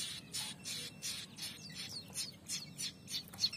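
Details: A pair of young prinias becoming active; rapid series of short, harsh, broadband chirps repeated about three times a second, some with quick downward sweeps, over a soft low background hum.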